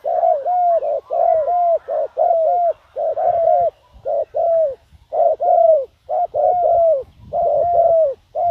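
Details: A spotted dove kept as a lure calls to bring in wild doves. Continuous series of low, mellow coos in quick groups of two or three, with faint rustling underneath.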